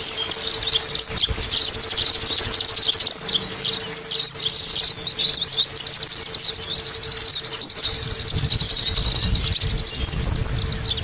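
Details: Lure song of Oriental white-eyes, meant to get caged birds singing soon. Busy, very high twittering flows continuously in overlapping bursts of quick chirps and buzzy trills. A low steady hum and faint rumble sit in the background.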